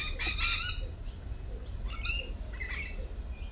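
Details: At a cafe, a lorikeet gives one loud, rasping squawk, followed by softer scattered chirps and screeches from other birds.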